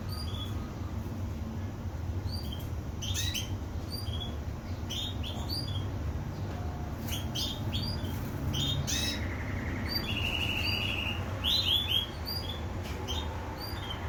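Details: Canary song of scattered short high chirps and clicks, broken by pauses, with a brief buzzy trill toward the end, over a constant low hum.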